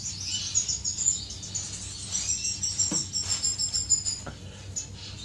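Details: Aviary finches in courtship, 10 May 2015: bright, high twittering phrases that rise and fall in bursts, with a few brief clicks and low room hum beneath.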